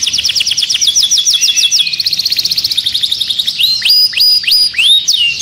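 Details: Caged canary singing excitedly: fast high trills of bright repeated notes slowing near the end into loud, separate, downward-swooping whistled phrases.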